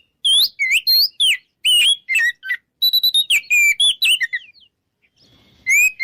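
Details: Oriental magpie-robin in loud ngeplong song to bait rivals into fighting. Quick whistled upslurs and downslurs with crisp chirps run for four seconds, a pause follows, then one last rising whistle.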